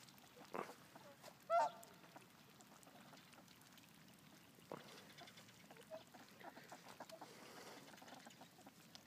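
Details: Ducks in a flock of hundreds flying around in Kurihara, giving a few short, nasal, harmonic calls, one louder call standing out early on, with fainter scattered calls over a quiet background.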